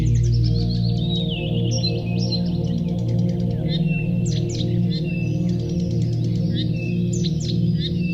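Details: Several birds sing on a sunny morning walk, giving continuous twittering phrases of rapid high notes and short whistled slurs, while a low sustained singing-bowl-like music drone hums beneath.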